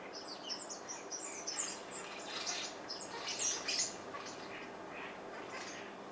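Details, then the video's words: Starlings feeding in the morning give scattered high, squeaky chirps and short squawks, some in quick clusters, over a steady hiss of background noise. "Starlings having their breakfast"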